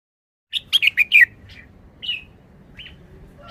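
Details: Red-whiskered bulbul kept in a cage performing a short wild-style song phrase: a quick run of four loud, sharply falling whistled notes, then a few softer separate warbled notes.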